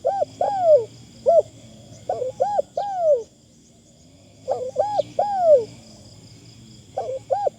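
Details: Decoy Spotted Dove luring with gentle, thin 'karom' cooing. Groups of soft double notes and long downslurred coos arrive in bursts with a pause of about a second midway, over a faint constant high hum.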